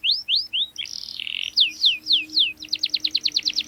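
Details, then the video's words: Singing canary, used as a lure to teach young birds; sharp downslurred chirps about every third of a second, a short buzzy roll, then a fast even trill of clipped notes at the end. "KENARI Gacor Cuit cuit NGEROL TAJAM Menekan Lawan, Pancingan KENARI PAUD belajar bunyi | Canary bird"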